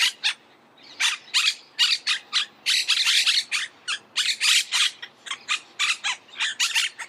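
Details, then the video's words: Harsh chattering squawks of a Monk parakeet, irregular bursts of raspy screeches, some longer and drawn out, others clipped, coming in quick uneven series with short silences between groups. "Canto de la Cotorra - Sonido de Cotorras - Audio De La Cotorra Argentina"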